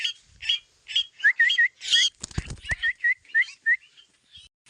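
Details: Domestic koleto kept with pet crows, mixing clear upslurred whistles repeated in quick runs with harsh squawks, and a few low thumping knocks in the middle.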